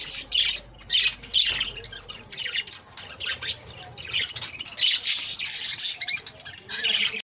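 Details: A 6-month-old male pet parakeet at play gives a rapid run of harsh, high squawks and chirps in bursts, with short pauses between them, plus faint fluttering.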